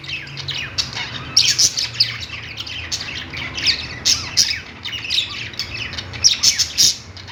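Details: Parakeets chirping on a perch in a pet store: continuous rapid chatter of thin, buzzy notes and short squawks, louder bursts recurring roughly every second, over a faint background hum.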